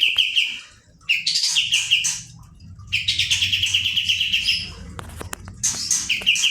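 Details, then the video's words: Pied Triller (kapas tembak) singing in bursts: short rapid strings of sharp repeated notes mixed with harsh buzzy elements, separated by brief silences; soft low hum below. "kapas tembak gacor roll ngebrn nembak"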